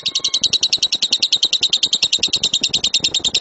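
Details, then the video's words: Lovebird master song of the loud tembakan type, used to prompt other birds: a steady, rapid chatter of harsh, high, doubled notes repeating about eight times per second throughout, without pause. "LOVEBIRD SUARA GEMURUH TEMBAKAN BURUNG LOVEBIRD"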